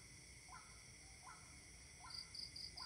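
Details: A waterhen calling overnight on 28 October gives short, rising croaking notes, repeated about every three-quarters of a second, over a steady whine of night insects.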